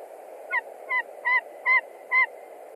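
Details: Nest-site white-tailed eagle in Latvia, 20 March 2021, yelping at an intruding, probably young eagle: five strong, evenly paced calls about half a second apart over a steady hiss.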